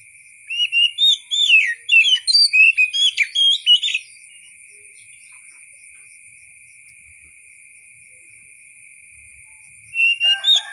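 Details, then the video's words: Oriental magpie-robin (kacer) song for tutoring other songbirds: a three-second burst of rapid, varied whistled notes, a long silence, then a new phrase begins, with a constant high tone throughout. "KICAU BURUNG KACER SUARA ASLI"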